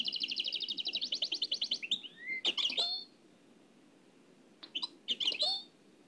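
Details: Old cassette recording of a nightingale in the Oued El Alleug song style: a steady fast trill of repeated high notes, a rising whistle, sharp scratchy bursts, a pause, then short clipped phrases.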